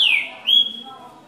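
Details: Green-winged saltator, a Brazilian bird, singing a six-note song with 'boi' notes in the middle. A loud whistled note slides downward, then a steady, clear higher whistle is held and fades.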